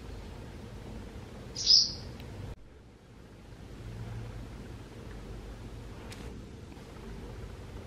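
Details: A barn swallow at a nest by the Tama River, Japan, gives a single sharp, high chirp, then a fainter brief note a few seconds later, over a low steady outdoor hum.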